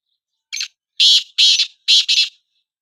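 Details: Black francolin (kala teetar), one of two birds whose calls are compared: a short thin opening note followed by two pairs of loud, rasping, buzzy notes, the whole phrase lasting under two seconds in a quiet background.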